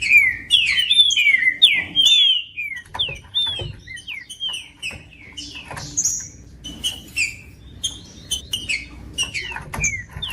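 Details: Green-winged saltator song: loud, rich whistled phrases of slurred, downward-sweeping notes, tightly packed and overlapping at the start, then sparser and softer with a faint low hum underneath.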